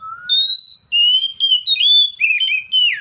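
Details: Seychelles magpie-robin whistling: a low opening note, then a high sustained whistle. A string of linked, wavering fluty notes follows, sliding down at the close.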